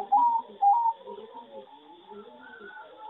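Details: Farm-bred zebra dove, a singing dove bred for competition: two loud, clipped, slightly rising coo phrases open the clip. Then a fainter chatter of other doves and birds continues in the background.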